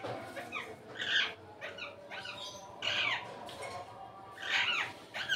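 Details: Rose-ringed parakeet (Psittacula krameri) eating guava gives harsh, scratchy chattering notes with a few sharper squawks, irregular over five seconds, against a low background hum.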